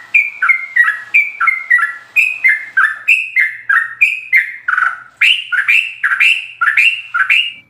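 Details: Sooty-headed bulbul's rapid ropel song with full fill-ins, used to train caged birds. Repeated descending whistled doublets pour out continuously, growing slightly louder and higher toward the end.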